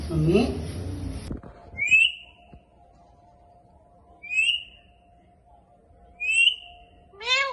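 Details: After a burst of low noise, a pet Indian ringneck talking parrot gives three short, clear upslurred whistles about two seconds apart, then a harmonic rising call at the end, against a steady faint hum.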